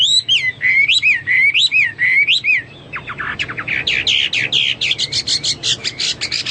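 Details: Hwamei singing, a pet bird repeating a looping whistled phrase about six times, then switching to a fast harsh chattering series of sharp buzzy notes, with a quiet hum behind.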